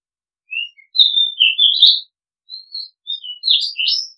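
Oriental magpie-robin singing a varied run of clear, sweet whistles and quick slurred notes, rising and falling in short bursts with brief pauses.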